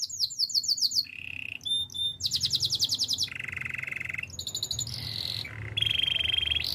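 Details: Spanish Timbrado canary song for training, a chain of trilled tours that jump between pitches: quick high pulsed runs, lower buzzy rolls, ringing metallic notes and a long steady trill.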